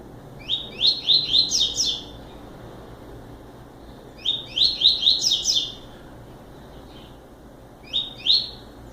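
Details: Two complete short songs from a double-collared seedeater, rapid rising whistled notes in tight series, spaced a few seconds apart, followed by a final two-note fragment; background otherwise still.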